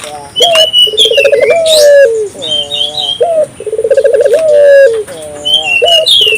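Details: Calling African collared dove used to stimulate local doves: repeated rolling coos, each a short note, a fast quavering trill and a drawn-out ending, over busy high chirping and whistling of small birds.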